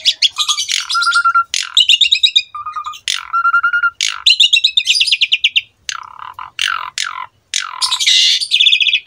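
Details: Jalak suren, the Asian pied starling, singing a varied master song meant for young starlings to learn: dense chattering trills, clear steady whistles and buzzy bursts in quick succession.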